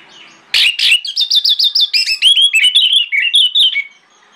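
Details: Orange-headed thrush singing in the morning as a lure to draw other thrushes into answering: a fast run of clear whistled and slurred phrases, high and varied, falling and rising over about three seconds, after a quiet start.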